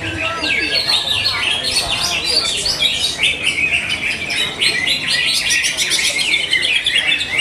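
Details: Greater green leafbird performing at a bird singing contest in Bekasi, Indonesia, with a steady stream of bright, high chirps and quick trills, and faint voices in the background.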